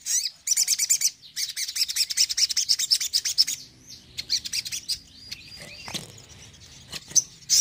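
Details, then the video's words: Crimson sunbird singing a tembakan song: long, continuous, high-pitched buzzy chatter of rapid notes, thinning out into scattered thin chips and whistled slurs near the end. "TEMBAKAN SOGON AMPUH DONGKRAK EMOSI SOGON KURANG ON!"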